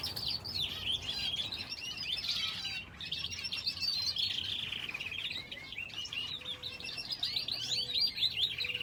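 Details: Aviary finches kept alongside a canary, a busy chorus of rapid high chirps and warbling twitters running almost without pause, one brief quiet gap near the middle, a soft low hum in the background.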